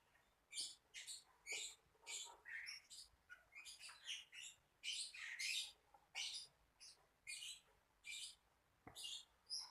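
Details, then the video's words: A lovebird keeps up a steady stream of piercing, high chirps and short squawks, closely spaced and slightly varied in tone. "Burung Paling Berani | Lovebird"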